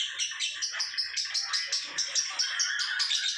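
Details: Lovebird singing ngekek style, or ngecor: a continuous run of rapid, shrill, chirping notes, about two to three per second, sustained without a break.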